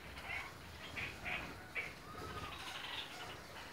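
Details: Red-crowned parakeets in different colours give four quick, clipped chirps in succession, then quieter chatter over a low rumbling background.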